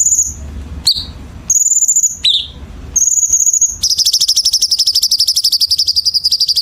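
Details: Chinese bulbul song for training competition birds, dense harsh fill style: high whistled buzzes and downslurred chips, ending in a long, rapid, rattling trill of nearly three seconds at steady pitch.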